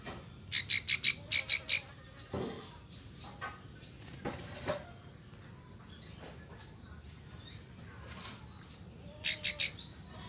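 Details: Plain prinia at a rice paddy, answering playback of a wild bird's call with bursts of rapid, harsh buzzy chips about three per second, softer scattered notes between bursts, and a final loud buzzing run.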